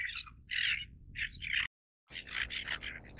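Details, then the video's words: Great crested tern calls: distinct harsh, scratchy bursts, then a short silent break, then a denser run of rasping notes from several birds. "大鳳頭燕鷗(鳳頭燕鷗)/Great Crested Tern"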